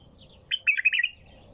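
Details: A single short, liquid bulbul phrase of five or six quick fluty notes, clear and loud against a quiet background.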